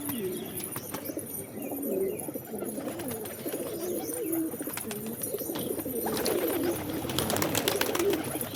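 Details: Pigeons giving low, gurgling coos in loose, overlapping phrases. Sharp clicks and flutter-like bursts break in, growing busier toward the end.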